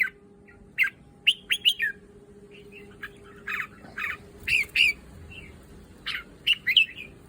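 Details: Red-whiskered bulbul from a breeding keeper, caged, giving short clear whistled notes and slurred chirps in spaced clusters, with brief silences between phrases and a low steady hum behind.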